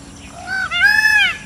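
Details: A peacock gives a loud, nasal two-part wail: a short rising note, then a longer, higher note that swells and falls. The background is quiet.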